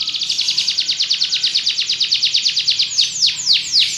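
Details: Belgian canary singing a fast run of repeated high descending notes, roughly eight per second, ending with three slower, broader downward sweeps.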